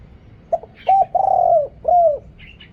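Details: Decoy spotted dove with a big voice, calling to draw in wild birds. Noise-reduced recording. One phrase: a soft pip, a short coo, a long rolling coo, then a final clear coo. A faint high chirp follows at the end.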